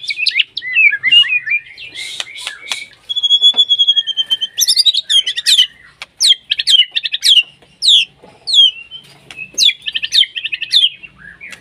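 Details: White-rumped shama in breeding condition, calling a rival: a vigorous varied song of sharp downslurred whistles, a sustained level whistle, and quick chattering runs.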